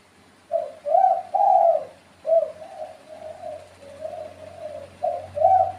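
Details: Spotted dove giving a mellow, throaty coo sequence: a short note, then two louder, longer coos, followed by softer connected coos and a strong closing pair.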